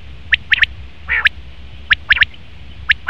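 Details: A male common quail's quick, bright, sharp notes come in twos and threes, broken by one short lower rasping growl.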